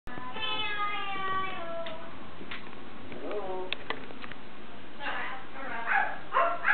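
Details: Pet Amazon parrot vocalizing indoors: a run of stacked, slightly falling harmonic notes, then a quick rising series of bright notes, ending in harsh, loud squawk-like bursts near the end.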